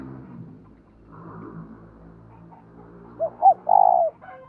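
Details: Decoy spotted dove giving its thúc and gọi calls to provoke wild doves: after a murky, noisy start, two short soft notes are followed by a loud, drawn-out mellow coo near the end.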